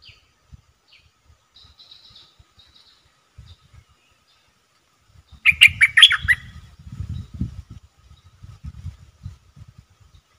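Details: A Dok taeng bird, kept as a decoy to call wild birds, gives faint chirps at first, then a loud burst of rapid chattering notes, followed by rustling and low thumping sounds.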